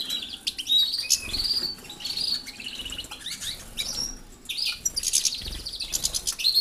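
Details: European goldfinches kept in an aviary alongside canaries, moved there to exercise and grow used to the canaries before pairing; bright, high twittering chirps and short trills in quick bursts, with a fluttering of wings in the background.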